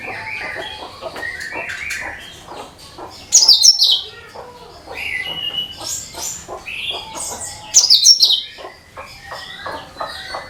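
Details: Cucak kinoi (bulbul) song used as a lure for all kinds of birds: varied chattering phrases with sharp high whistled notes and rapid ticking, loud bursts near 3.5 and 8 seconds.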